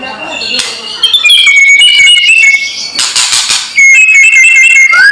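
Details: Loud white-rumped shama kretekan for provoking rivals: long steady whistled tones with rich overtones, interrupted by two bursts of crackling noise, ending on a rising whistle.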